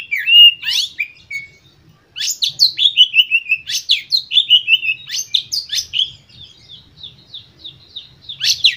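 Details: Lure song (pancingan) of an Oriental magpie-robin, used to stimulate other kept birds to sing: a brief opening note, then a quick series of loud downslurred whistles and sharp chirps repeated many times, ending in softer warbling.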